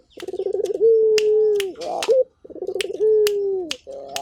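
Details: Energetic local turtle dove giving two coo phrases, each a rolling pulsed start settling into a long steady low tone that dips at the end, with intermittent crisp clicks in the background.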